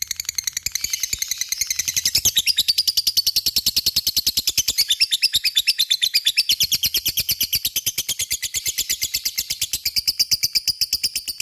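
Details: Extended lovebird ngekek aimed at drawing answers from other lovebirds; a few scattered scratchy notes lead into a sustained, fast, harsh chattering trill that carries on steadily with slight shifts in pitch.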